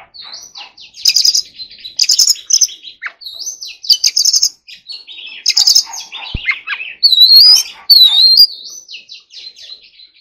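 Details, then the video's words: Oriental magpie-robin practising its song, with repeated buzzy chattering bursts alternating with sweeping whistled notes, later a loud wavering high whistle repeated twice, and a sharp click. "choè than hót giọng rừng"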